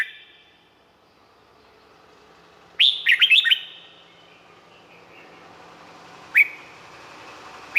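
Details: Red-whiskered bulbul song from Thailand, recorded for training birds or stimulating them: one rapid phrase of four sweeping whistled notes, followed by two isolated rising single notes, each trailing off in a strong echo.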